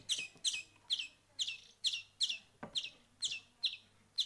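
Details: Young European greenfinches hand-fed for a week, heard as softer, high, squeaky begging chirps repeated about twice a second against a low background hiss.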